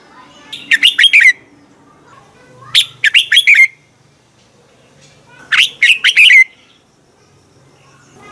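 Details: Morning training song of a red-whiskered bulbul: a phrase of several fast, liquid whistles repeated about every 2.5 seconds, with three full phrases and a final note. A low murmur sits in the background.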